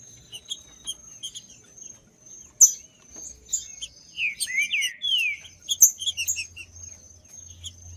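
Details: Woodland green-winged saltator used to heat up a cold bird: a burst of rich descending whistles in the middle, set within constant tiny high chirps from other birds, a persistent high tone and faint low hum.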